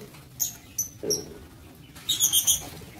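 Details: Short sharp chirps from lovebirds in a breeding aviary, two single squeaks followed by a fast, bright burst of high notes.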